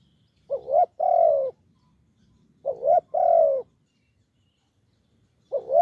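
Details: Wild spotted dove with a deep voice near a decoy on a branch: paired low coos, a brief upswept note then a longer hollow one, repeated roughly every two and a half seconds.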